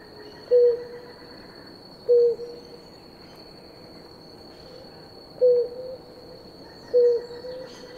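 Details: A drinking pair of blue ground doves gives brief low hollow coos, two close together, a pause of three seconds, then two more, while a thin high insect buzz runs constantly behind.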